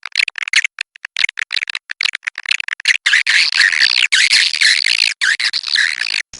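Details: Kapuas River edible-nest swiftlet: choppy, stuttering clicks and short buzzes at first, building into continuous harsh, churring chatter with broken rhythm.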